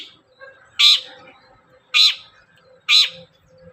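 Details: Long-tailed shrike giving rasping, buzzy calls as a singing lure. Three strong, broad notes about a second apart, softer chattering and a faint hum between them.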